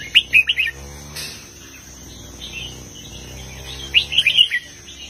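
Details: Red-whiskered bulbul singing a southern Thai 'master song' style with heavy phrases. A quick burst of bright, bubbly whistled notes opens, then a pause, then another chattering whistled phrase near the end. A steady low hum runs underneath.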